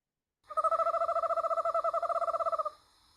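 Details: An Eastern Screech-Owl gives its tremolo, a lower call used between a mated pair to keep in touch in the dark: a steady, low trill of about twelve soft hoots a second, lasting two seconds.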